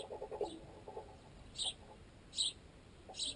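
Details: Sparrows, including fledged young still fed by their parents, pick at bread stuck in a tent guy line; brief high chirps every second or so punctuate amplified pecking taps transmitted by the tent pole holding the camera.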